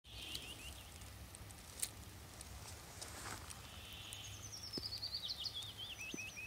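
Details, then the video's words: Woodlark singing in June near Murmansk: after a quiet, hissy stretch with a few scattered high notes, a fast descending run of thin, liquid, whistled notes rises and falls at the end, over steady low background hum. "Солирует лесной жворонок."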